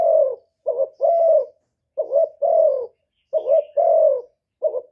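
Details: Cooing of a Cà Mau decoy spotted dove, used in Vietnam to lure wild doves. The phrases are low and mellow, each a quick two-note hiccup followed by a longer descending coo, repeated four times.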